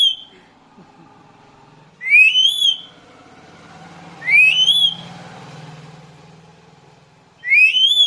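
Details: Black-capped lory, a parrot taken outdoors, repeats a loud rising whistle three times, roughly every two and a half seconds, with a low traffic rumble between the whistles.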